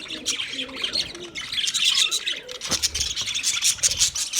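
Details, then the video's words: Group of budgies in steady chirping chatter meant for a lonely bird; busy high twittering and scratchy warbles layered together, with a soft low thump near the middle. "Budgies chirping sounds for lonely bird"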